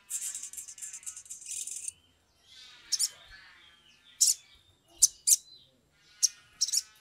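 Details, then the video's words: Sumatran leafbird, described as agitated, used as a lure to get other leafbirds singing quickly: a dense buzzy high chatter for two seconds, then sharp scattered high chips and brief rattles over a faint tonal hum. "pancingan sogok ontong atau SOGON biar cepat bunyi"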